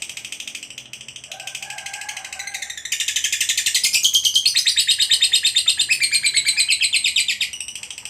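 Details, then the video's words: Gacor fighter lovebird's long trill: softer chattering at first, then a loud, fast, machine-like trill of regular pulses that holds for over five seconds with a thin whistled tone running through it. "KICAUAN LOVEBIRD FIGHTER GACOR Ngekek Panjang"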